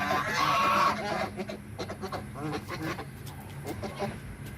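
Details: An angry white domestic goose protecting its territory gives a harsh, breathy warning hiss, then a rapid run of short, nasal honks, roughly three or four each second, with other geese calling nearby.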